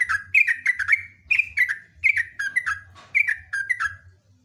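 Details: Sooty-headed bulbul, a loud singer giving long song phrases: bursts of bubbly, slurred notes descending and rising in quick clusters, repeated in runs with short pauses, a faint low hum beneath.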